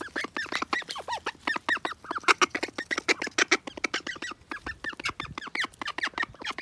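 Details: Call ducks quarrelling, which the owner says happens now and then; rapid, overlapping nasal quacks tumble out in dense bursts of several per second, harsh and raspy, with no pause across the whole stretch.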